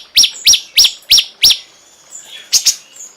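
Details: Cungkok calling with five sharp, high, down-slurred chip notes evenly spaced about three per second, then a quick double note.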